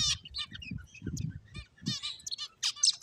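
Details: Playing finches make short, bright chirps and a few buzzy, nasal notes in quick irregular bursts, with soft low thumps and rustling between calls.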